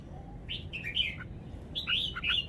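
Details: Red-whiskered bulbul singing song phrases noted for their good style: two short, bubbly whistled phrases of slurred rising and falling notes, heard over a steady low rumbling background noise.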